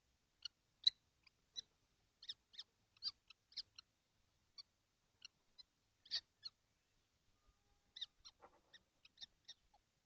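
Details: Seven kestrels in their nesting box on a hot June day, 2025. Thin high squeaks come in irregular clusters, quieter in the middle, then a burst of scratchy overlapping calls near the end.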